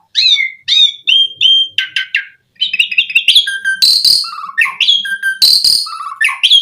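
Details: Asian pied starling in full song, meant to provoke other starlings into singing; opens with repeated downward-slurred whistles, then mixes chattering trills, low whistles and harsh rasping bursts.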